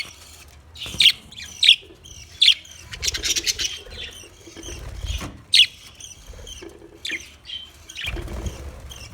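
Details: Chattering budgerigar: a run of sharp chirps, then a burst of rapid scratchy ticking and warbled notes, more chirps following, with low thumps in the background.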